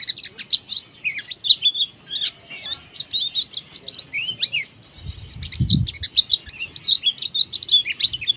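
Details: Oriental white-eye delivering dakbal open-beak song, a lively high chatter of sharp chirps, rising and falling slurs, run together without pause; a soft low bump midway.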